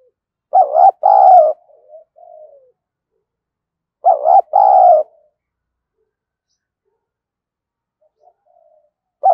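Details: Decoy spotted dove, its voice style called 'giọng thổ', used daily to provoke wild doves: low, mellow, throaty coo phrases of two quick notes then a longer drawn note and a soft trailing tail, repeated about every four seconds over a quiet background.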